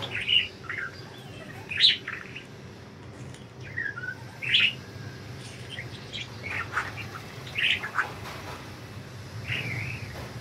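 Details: Pet budgerigars flying free make scattered short chirps and warbled notes every second or so, some sharper and rising, some soft, over a faint background hum.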